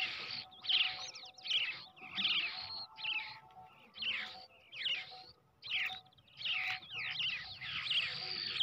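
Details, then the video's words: Brown shrike baby raised by hand from the egg, begging loudly with rapid grating, buzzy calls about every three quarters of a second, some run together into longer rasps. "bird baby / brown shrike / পাখির ডিম থেকে বাচ্চা বড় করলে খুব সুন্দর ভাবে"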